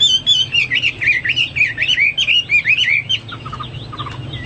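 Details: Hwamei, a pet songbird giving a fast sequence of wavering, looping whistles, followed by a few quieter low doubled notes.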